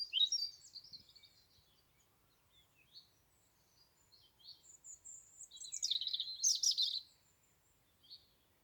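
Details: A European robin sings in Dartington with thin, high, tumbling warbled phrases in short bursts and a denser rush of notes near the end, while other local birds call faintly around it.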